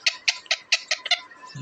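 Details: Pet parrot kept in a home, giving a series of seven short, harsh, scratchy chirps spaced about a fifth of a second apart.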